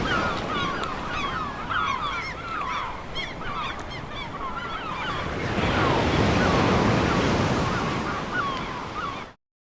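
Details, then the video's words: Gulls at a beach: a flock gives many overlapping mewing, downslurred cries, thick for five seconds and then thinning, over steady crashing surf and wind. "Beach Waves Crashing Seagulls"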